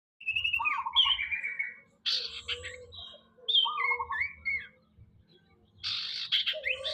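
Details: Common iora learning to sing: varied whistled phrases, some sliding down, others rising, alternating with short buzzy trills and rattling notes, sung in bursts separated by brief pauses over seven seconds.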